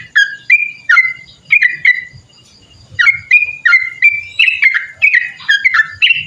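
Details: Sooty-headed bulbul giving a long rapid 'ropel panjang' song used for tutoring and luring birds: bright whistled slurred notes, rising and falling, in quick bursts with a brief pause near two seconds before resuming.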